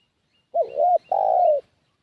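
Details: Lure call of a spotted dove, used to bring wild doves closer: one clean phrase, a short bent note and then a long, even coo easing downward, with faint high chirps behind.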